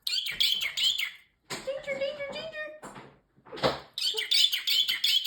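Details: Pet parrotlet, a talking male, running through phrases like peekaboo and excuse me. Rapid, high, squeaky syllables, then a steady whistled tone, a pause, and more shrill chattering words.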